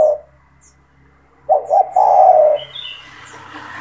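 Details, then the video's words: A single low spotted dove phrase, two short coos and a long falling coo, from a bird singing persistently to train young doves. Thin whistles of other birds and steady background hiss follow. "SUARA TEKUKUR GACOR BAGUS UNTUK MELATIH MENTAL TEKUKUR MUDA BIAR IKUT BUNYI MANGGUNG"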